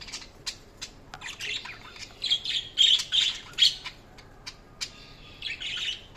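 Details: Budgerigars chirping and squawking, with bursts of high, scratchy chatter and sharp tweets that come and go in quick, uneven runs.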